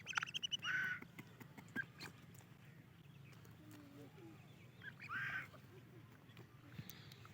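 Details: Female grey francolin (Teeter Madi) calling to communicate with her mate and chicks: two loud, harsh, short bursts about four seconds apart over steady low hum, with ticking noise and faint human voices.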